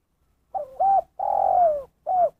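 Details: Spotted dove (tekukur) giving the single-note 'kuk satu' call: a soft low coo of three parts, a short double note, a longer drawn-out falling coo and a brief final note.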